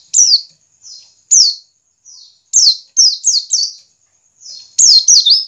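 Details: Ngiriwik call of a white-eye, intended to stimulate caged white-eyes: single loud high downslurred chirps separated by soft sweeps, building to clusters of three rapid notes.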